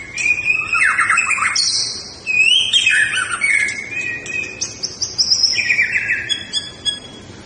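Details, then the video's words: White-rumped shama song in fighting style: bright whistled phrases alternating with buzzy trills, long high sustained notes and quick rising slurs, sung almost without pause. "Gaya tarung MURAI BATU SUPER"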